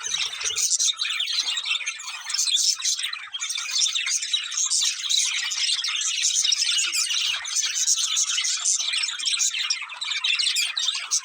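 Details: Long unbroken warbling from a budgerigar breeding pair: squeaky chirps, buzzy rasps and clicks tumbling over one another for about eleven seconds.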